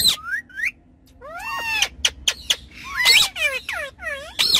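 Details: Pet ringneck parrots having fun on a car back seat: short whistles, then clicking bursts and dense harmonic squawks and arched whistled notes in quick succession.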